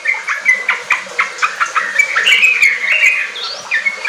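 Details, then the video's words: Yellow-vented bulbul song used to coax kept birds to sing riwik and ropel: rhythmic short notes about four per second, rising into a warbled phrase, with faint room noise. "Pancingan trucuk ampuh bikin trucukan bahan cepat riwik ropel gacor"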